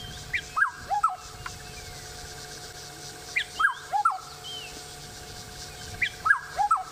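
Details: Black-headed oriole, noted for its red beak, calling from a tree on 28 October 2016: three bursts of fluting, downward-slurred whistles, each a quick two- or three-note phrase, repeated about every three seconds.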